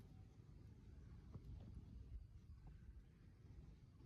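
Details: Quiet, low rumbling background noise with a few faint clicks, and no animal calls.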